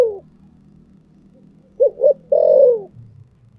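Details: Spotted dove in the 'thổ sấm' style delivering two short low coos and then a long, smooth coo that falls away. The calls sound over a steady low rumbling background noise.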